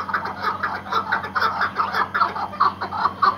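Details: Iraqi white hunting partridge, a tethered decoy bird, giving a steady run of short clucking notes, each about a third of a second apart, with a faint hum beneath.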